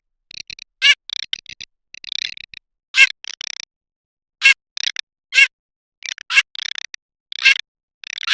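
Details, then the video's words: Garganey, a summer duck, giving a dry crackling rattle of rapid clicks in short bursts, mixed with brief louder nasal calls roughly every second; no other sounds. "صوت الحذف الصيفي (شترف)|| Garganey Sound"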